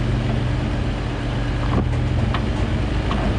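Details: Steady low engine rumble of a vehicle with a few faint clicks and knocks, and no animal voices.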